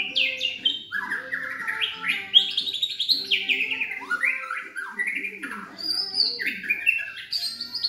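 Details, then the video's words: Singing continuously, a 3.5-month-old Medan-type White-rumped shama with black legs, caged at a home in Yogyakarta, delivers loud, rapid strings of descending whistled slurs and chirps that step up and down in quick succession. "Istimewa Murai Trotol Gacor Dor-Murai Batu Medan Kaki Hitam Trotol-Lagu Murai Medan-Trotolan Murai"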